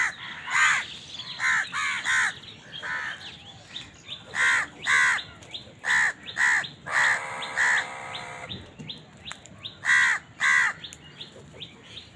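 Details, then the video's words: House crows feeding and squabbling: many harsh caws, often in pairs, spread across twelve seconds, with one longer buzzy, grating call near the middle. "Crow Bird Eating Scenes | Crow bird crowing sound part 88 | Bird Chirping Sound | Crow ki awaz"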